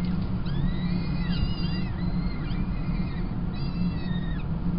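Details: Peregrine falcon chicks fed at their Kingston College nest on 28 April 2021, the female relieving the tiercel. Several high, thin, sliding cries overlap, then a second cluster follows after a gap, above a steady rumbling hum.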